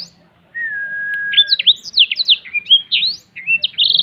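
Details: Black-throated canary spreading its wings in cetekan song: opens with a long, steady whistle, then breaks into rapid, high, zigzagging chirps and short buzzy phrases.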